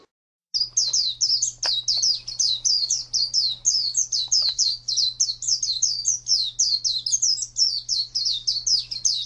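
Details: Oriental white-eye in ngalas (wild-type) song, starting after a short silence: an unbroken, rapid run of high, sweet, wavering notes, with a steady low electrical hum underneath and a couple of clicks.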